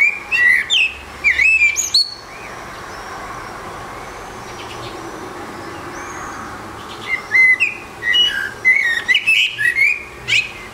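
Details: Eurasian blackbird singing alone on a rooftop: clear, mellow whistled phrases with twiddly higher flourishes, one burst at the start, a pause of several seconds, then a longer run of quick warbled notes toward the end.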